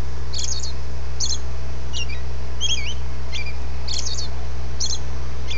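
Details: Dawn singing from a robin: high, thin, clipped notes mixed with a few scratchier clustered phrases, delivered in a quick, fairly even rhythm, with a constant low hum behind.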